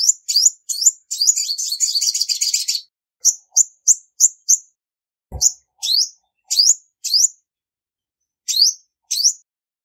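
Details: Female olive-backed sunbird opening with a few chirps, then a rapid, buzzy trill lasting nearly two seconds, followed by scattered short and sweeping high notes and a single low click.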